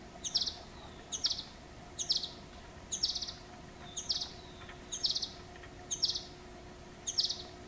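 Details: A male ultramarine flycatcher, a winter migrant near Gujarat's capital in India, gives short, high, sharp call notes about one per second, over a faint steady background hum.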